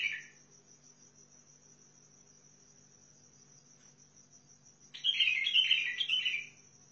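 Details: Basra bulbul of the Sihani type from Al-Faw: a clipped note opens, then long near-silence with low hum, and a rich rolling warble of several slurred whistles bursts in near the end.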